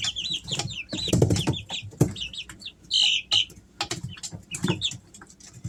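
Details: Three-week-old Easter Egger chicks at home in summer, uttering bouts of high, wavering peeps amid clattering, scuffling and a short flutter of wings.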